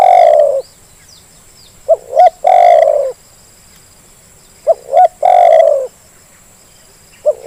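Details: Spotted dove call played to coax reluctant birds into calling. Loud, clear phrases of paired short coos leading into a drawn-out rolling coo repeat every three seconds against a quiet background.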